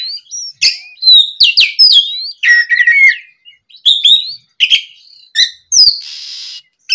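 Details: Oriental magpie-robin singing loudly in the afternoon as a lure to stir other magpie-robins into song: a dense burst of sweet whistles and quick trills, then shorter scattered phrases ending with a harsh raspy note.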